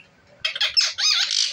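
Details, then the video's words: Parrot giving a short, harsh, buzzy squawk of about a second, noisy and high-pitched, after a brief quiet moment with a person speaking nearby. "बतलाने🦜वाला तोता | Batlane Wala Tota | Spiking Parrot"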